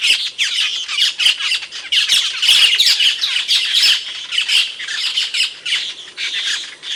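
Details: Asian glossy starling calling, a bird kept for training songbirds in Indonesia; dense, continuous harsh squawks and sharp chattering notes, loud and high-pitched, with almost no pause across the whole stretch.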